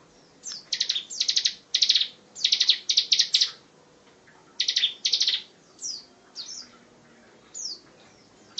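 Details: Bar-winged prinia song in the 'tembakan rapat' style, made as tutor material for songbirds like murai and cendet. Clustered bursts of rapid, buzzy high notes come in uneven groups, followed by sparse thin downslurred chirps.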